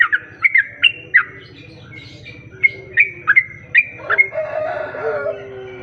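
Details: Sooty-headed bulbul song played as a lure to attract other bulbuls: sharp, clipped whistled notes, some dropping or rising, repeated in a quick uneven series, over a low steady background hum and softer bird calls.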